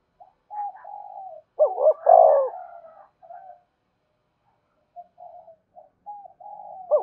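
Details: Spotted dove call used to lure wild doves in, said to make them coo and come quickly: soft short coos, then a loud rolling double coo and a long burry note, followed by quieter repeated coo phrases.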